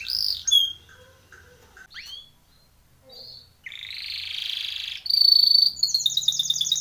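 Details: A Timbrado canary training song in broken phrases: short whistles and upward slurs with pauses, a sustained buzzy note, then a loud whistle and a rapid trill, with a low hum underneath.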